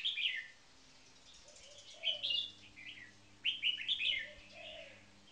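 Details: Two caged red-whiskered bulbuls, one a top marathon frequency singer, give short bright warbling phrases separated by quiet gaps, accompanied by soft low gliding notes and a faint hum.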